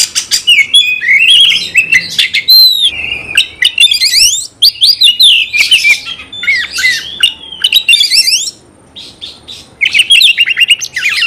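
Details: Oriental magpie-robin singing aggressively to provoke a fighting response: loud bursts of looping whistles and grating rasps, with a couple of short silent pauses between intense phrases.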